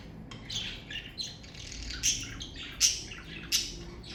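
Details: Pet budgerigars of a parakeet family trade harsh squawks and buzzy chatter, with sharp, piercing shrieks standing out about every three-quarters of a second toward the end.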